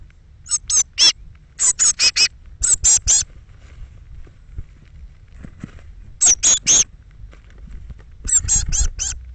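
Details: Thirteen young Eurasian blue tits leaving their nest box on the morning of 21 May 2017, between 06:00 and 08:00. High, shrill calls come in quick bursts of three or four, with short pauses between them and a low background rumble.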